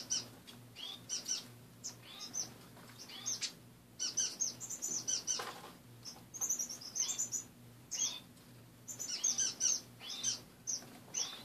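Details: Caged pet finches in a home in the morning, a busy stream of high thin chirps and short trills from several birds, with brief fluttering and a low background hum.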